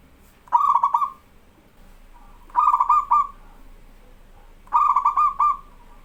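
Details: Local zebra dove singing persistently, recorded as tutor audio: three rhythmic cooing phrases about two seconds apart, each a burst of quick stuttered notes trailing into a soft drawn-out ending.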